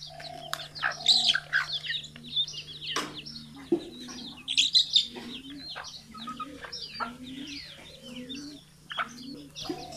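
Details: Flock of chickens of various sizes at morning feeding after release from the coop, Betbari, Fulbaria, Mymensingh, 6 October 2018; a busy mix of shrill chirping peeps and soft low clucks, with scattered knocks and a constant hum.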